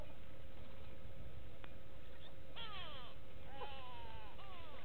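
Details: Go-away birds at a waterhole in Sabi Sand, South Africa, 6 June 2018: after a quiet stretch with one click, a harsh nasal call drops in pitch, followed by two more drawn-out descending wails.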